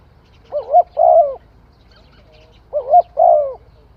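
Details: Spotted dove singing two matching phrases a little over two seconds apart. Each has a wavering, bubbly coo that rises and then a drawn-out, gentle coo that falls away. Faint coo notes sound between the phrases.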